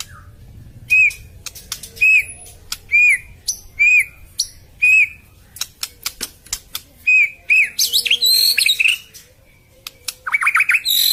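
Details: White-rumped shama in a harsh, rapid song: loud ringing whistled notes repeated roughly every half second with clicking ticks between, building into fast, dense chattering bursts of rising high notes toward the end.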